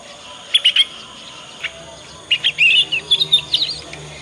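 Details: Young Yorkshire canary practising the ngriwik sound, kept as a lure for other canaries. Three sharp high chirps, a lone note, then a longer twittering, warbled run of bright notes.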